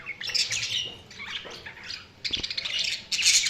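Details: Budgerigars chirping: busy, scratchy warbles and squawky chatter in bursts, with brief quieter gaps between overlapping phrases.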